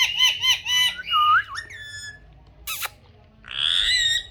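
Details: Rose-ringed parakeet producing a quick run of repeated nasal syllables, a drawn-out bending note, a sharp click, then a long buzzy, grating call.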